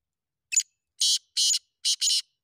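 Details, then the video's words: Black francolin from Sindh, called a Sindhi kala teetar or king teetar: one short thin note, then four loud harsh grating bursts, the last two closely paired, all within about two seconds against silence. "Sindhi Kala teetar ki awaz //Black teetar ki awaz //Black Francolin"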